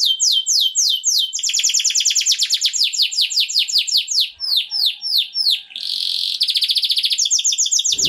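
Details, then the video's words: Strong mating song of a canary, a rapid chain of falling sweeps repeated steadily, slower arched notes, a buzzy rasp, then a quick rolling trill, all high-pitched and clear without other sounds. "Impresionante y poderoso canto del pájaro canario."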